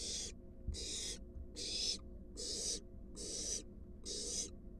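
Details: In a monitored nest box, a wild barn owl adult brings a large rat to its fledgling. Six drawn-out hoarse hisses repeat about every 0.9 seconds against a quiet background.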